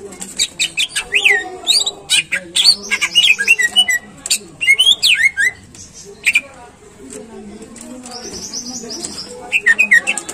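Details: Greater green leafbird song used to set off singing in caged birds: bursts of sharp chirps, twisting whistled slurs and a buzzy trill, separated by short quieter gaps.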